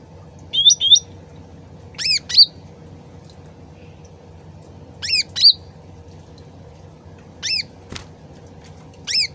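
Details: Sooty-headed bulbul lure sound meant to trigger quick answers. Repeated short bursts of two rising whistled notes, spaced irregularly every couple of seconds, with a steady trickle of water underneath.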